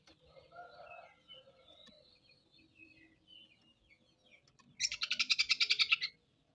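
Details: Oriental magpie-robin (kacer) song: quiet, varied warbling and soft whistles, then a loud harsh rattle of about a dozen rapid buzzy notes.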